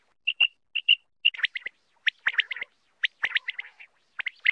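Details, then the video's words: Quail, known locally as batair, calling: pairs of short clear high whistled notes, then rapid bursts of scratchy chirps and twittering notes, no other sounds. "Batair ki awaz l Batair new awaz l Batair sound l 2023 Quail sound"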